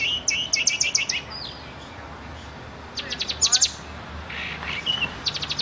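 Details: Pet bird, black and white with a silver beak, singing in three bursts of rapid, high, buzzy chirps. Each burst is a fast run of repeated notes, with short quiet gaps and a low background hum between them.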